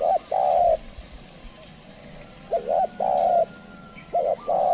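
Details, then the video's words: Spotted dove used as a trained lure to call wild birds. It gives soft, low coos, each a quick double note then a drawn-out level coo. Two phrases are heard, separated by a quiet gap. "pikat tekukur ajaran memanggil burung liar"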